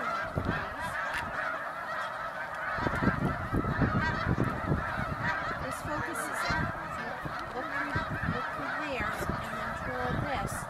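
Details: Thousands of snow geese roosting on a lake at Middle Creek Wildlife Management Area, Pennsylvania, USA, at sunset; a constant roar of many honking voices layered together, with scattered low knocks and rumbling beneath.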